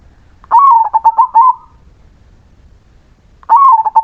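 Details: Melodious song of a crossbred zebra dove: two phrases of quick, pulsed cooing notes that dip slightly after a higher start, roughly three seconds apart, with silence between.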